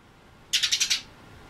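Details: Tame Eurasian tree sparrow (burung gereja): one quick burst of five sharp, high chirps packed into half a second, then quiet.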